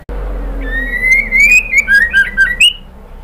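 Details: A female white-rumped shama calls the male with one long rising whistled run that breaks into choppy, wavering downslurred notes and ends on a high note.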